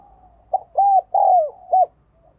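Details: One crisp phrase from a spotted dove decoy calling to attract others: a short note, two longer arched coos with a falling tail, then a brief final coo.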